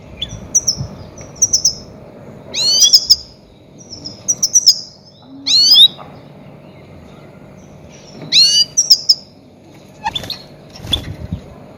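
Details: Goldfinch lure calls for catching grey-headed goldfinches: high chirps mixed with a few upward-sweeping notes in spaced bursts, about twenty bursts a minute, with quiet gaps and faint low background noise.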